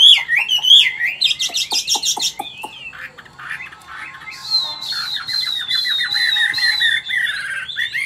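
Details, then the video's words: Caged old wild-caught Chinese hwamei singing in forest-voice style: twisting whistled phrases and sharp clicks, followed by a long buzzy, rasping passage under a sustained high whistled line. "Chim già rừng, Cao cầu - Bộ to mẫu chim rất đẹp- Giọng rừng"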